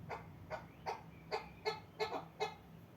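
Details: Chukar partridge from the Pamir giving a series of harsh, clucking chuck notes, about seven bursts spaced roughly every half second, each with a rough, broad tone; a low steady hum underlies the calls.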